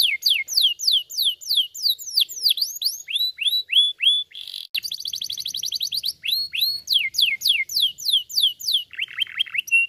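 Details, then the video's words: Singing canary whose song is used to excite other canaries into singing; fast run of high descending whistles, a dry rapid trill in the middle, then more sweeping notes ending in lower rolled tones, continuous and lively. "Esse som canário deixa outras nozes emocionadas e imediatamente gorjeia"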